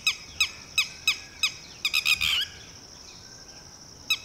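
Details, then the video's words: Red-wattled Lapwing (titehri) ordering its freshly hatched chick to duck and hide: evenly spaced sharp, metallic notes, then a quick harsh cluster and a pause before one last note. "Lapwing chick is newly hatched yet has the ability to run and hide, on Mama's orders!"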